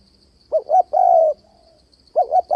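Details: Spotted dove decoy calling for trapping: two brief clipped coos followed by a long hoarse held note, then the phrase starting again, backed by a steady thin high-pitched whine.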